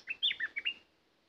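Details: Caged bulbul used as a decoy to lure wild birds gives one short bubbly phrase of about five whistled notes that dip and rise, with quiet afterwards.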